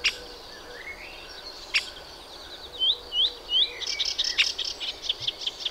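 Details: Hippolais polyglotta, the Melodious warbler, giving sparse song phrases: a few clear upslurred whistles in a row, then a quick run of high, buzzy ticking notes, with a soft hiss behind.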